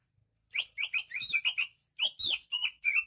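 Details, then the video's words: Greater green leafbird from Banyuwangi singing actively; a quick series of clear, slurred whistled notes, some rising and some falling, delivered in two rapid bursts with a brief gap. "Suara kicauan burung cucak ijo KTP Banyuwangi gacor"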